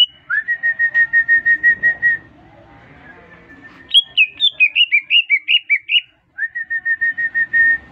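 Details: Newly bought caged greater green leafbird singing right after being whistled at. Steady runs of clear whistled notes, about three per second, open and close the clip. In the middle comes a higher, warbling phrase of quick slurred notes. No other sounds.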